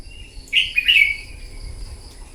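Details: Red-whiskered bulbul, a newly wild-caught bird stimulated to sing in a morning contest: one lively phrase of bright whistled notes running together and sliding down, under a second long, then quiet.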